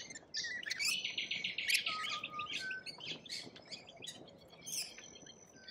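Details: Lorikeets in Australia chattering: a burst of rapid, buzzy screeches early on, then scattered shrill squeaks and harsh calls from several birds, growing softer toward the end.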